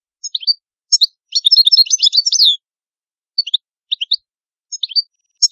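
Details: Italian European goldfinch (cardellino) mixing sharp paired chirp calls with a short burst of rapid twittering song, then returning to spaced chirps; quiet, clean background.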